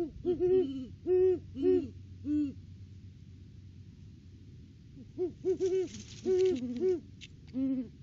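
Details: Great horned owl pair in a December off-season duet near their nest: clusters of deep hoots from two birds at slightly different pitches, a quiet gap mid-clip, then a second overlapping run.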